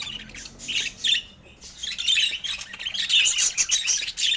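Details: A pet budgerigar chirping while eating fruit: distinct bursts of bright, squeaky chirps and short warbles separated by brief gaps.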